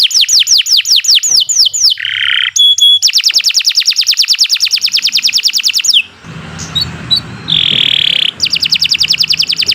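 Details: Canary in long unbroken song, for teaching birds that fell silent: quickening downward slurs, buzzy rasp, a sustained rapid trill of several seconds, a short break with faint low noise, then buzz and trill return.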